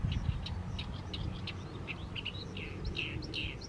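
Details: Oriental reed warbler singing in the evening sun over a fallow rice field in mid-May: a continuous run of harsh, chattering notes, short buzzy bursts and slurred phrases in quick succession, over a steady low rumble.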